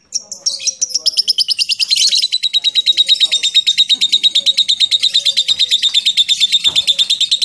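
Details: Lovebird 'ngekek panjang' in 'ngetik' style: after a few scratchy opening notes, a long, shrill, rapidly pulsed chattering trill builds and runs on evenly, with faint whistles and a low hum in the background.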